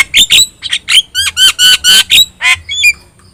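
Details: Yellow-eyed Javan myna singing busily, a training recording for songbirds: a series of loud, harsh, nasal squawking notes at regular short intervals, ending in a quieter squeak.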